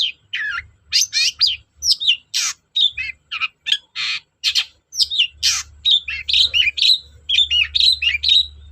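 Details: Long-tailed shrike song used as a lure for shrikes that rarely sing: varied rapid medley of squeaky whistles, scratchy chatters and sharp notes delivered about once per second, with a faint low hum in the background.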